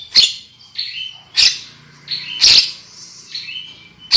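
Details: Lure recording of black-winged myna singing to prompt loud song: loud explosive rasping bursts roughly once a second, separated by shorter whistled and buzzy notes stepping downward in pitch.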